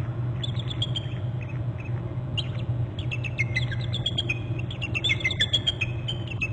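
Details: A pair of bald eagles trilling together at their Hornby Island nest just after one flew in to a left-hand branch, on 25 November at 11:19. Bright, high, rapid chattering notes build into overlapping runs over a constant low rumble.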